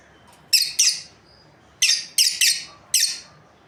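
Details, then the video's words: High, harsh chirps from a lovebird breeding pair, delivered in quick doubles and triples with short pauses between them. "Amazing Lovebirds Chirping Sounds | breeding pair"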